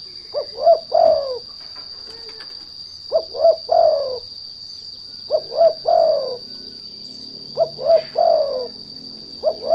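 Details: Lure spotted dove (derkuku) used to draw other doves into song, cooing in four repeated phrases roughly every two and a half seconds. Each phrase is two or three short low hoots ending in a longer falling note, under a constant high-pitched hum.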